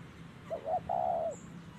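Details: A single spotted dove phrase sung in 'thổ' voice style at a trapping site: two brief hollow coos followed by one drawn-out, slightly wavering low coo.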